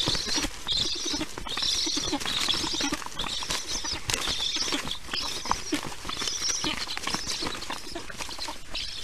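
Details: Parent black stork brings lunch to storklets at the nest, 1:39 p.m. EEST, 22 July 2019; regular hoarse, hissing bursts repeated about once a second through the recording, with knocking and scraping sounds.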